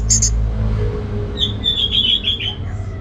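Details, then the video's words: Orange-headed thrush singing in the ngeplong gacor style, a short run of quick whistled notes around the middle of the clip after a high chirp at the start, over a steady low hum. "Anis Merah Ngeplong Gacor Dijamin Jos Burung Dirumah Yang Lagi Malas Bunyi"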